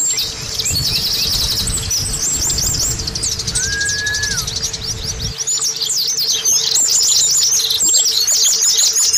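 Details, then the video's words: High, sweet twittering of an Oriental white-eye played as a lure to make caged birds start singing: continuous rapid chirps and trills, a brief lower whistle midway, low rumble fading out partway, faint hum behind. "Terapi Pancingan Pleci Supaya Cepat Bunyi"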